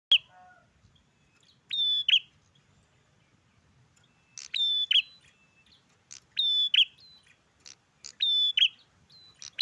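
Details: Bar-winged prinia (prenjak klawu) singing vigorously in a garden: loud, sharp, high whistled phrases, each a strident note followed by a quick double chip, repeated roughly every two seconds, with quiet low rumble beneath.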